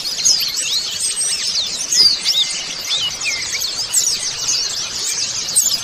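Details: Group of white-eyes singing as a colony, audio intended to get caged birds singing: jumbled sharp high chirps and squiggly trills, clusters of louder notes roughly every couple of seconds.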